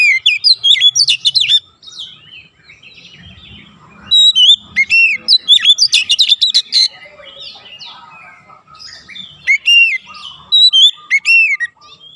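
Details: Oriental magpie-robin song for conditioning young birds to fast, dense delivery: repeated bursts of sharp chirps and looping whistles, with softer warbling passages between volleys.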